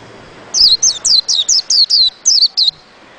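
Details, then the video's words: High, sweet white-eye notes, each a quick descending slur, repeated about nine times in a lively, evenly paced phrase lasting two seconds. "Burung pleci"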